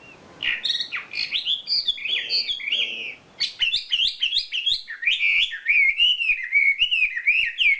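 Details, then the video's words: Champion wambi bird delivering isian filler song, a dense, loud run of warbled, twittering and slurred notes, richly varied, continuing almost without pause. "SUARA KICAU ISIAN BURUNG WAMBI JUARA"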